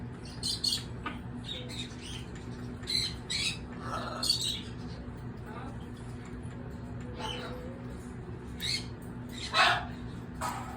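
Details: Lory parrot making tongue chattering sounds: short scattered squeaky chirps and clicks, some high and buzzy, others lower and nasal, spaced irregularly over a steady low background hum.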